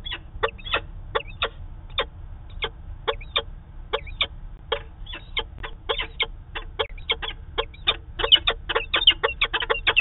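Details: Webcam audio of a Peregrine falcon pair's daily meeting at their Manchester, New Hampshire nest site, September 2018: a long run of sharp grating notes, spaced and uneven at first, then quickening and louder near the end.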